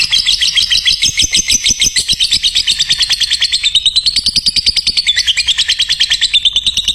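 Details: Lovebird song used as a tutoring recording to train other lovebirds: a fast, unbroken chatter of high chirps repeated about three times a second, the pitch dipping lower midway, then rising again.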